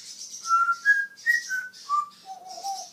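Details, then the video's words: Talking African grey parrot kept as a pet. It gives a clear whistled sequence of pure tones, each held briefly, stepping up then down, with the last note lower and wavering. Faint hissy noise sits behind it. "the talking African grey"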